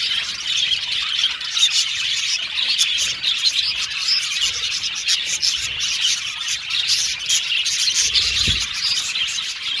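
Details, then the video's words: Budgerigars, Australian budgies, chirping in a cheerful group, a steady stream of overlapping high twitters, trills and whistles, busy and unbroken throughout, with one brief low thump near the end. "Beautiful Cute Budgies Chirping Sound | Australian budgies Singing sound"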